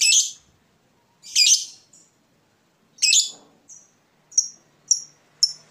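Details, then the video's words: A fighter lovebird gives long "ngekek" chatter: three harsh, shrill chattering bursts, then several short high whistled chirps about a second apart, with no other sounds. "Lovebird Fighter ngetik ngekek panjang"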